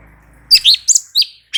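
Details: Light-vented bulbul in short bright song phrase for tutoring other birds; three or four clear slurred whistled notes in quick succession after a faint low hum.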